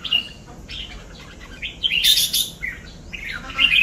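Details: Red-whiskered bulbul ('cọp' type) giving scattered chirps and short warbled phrases, with sharp high notes and gaps between bursts.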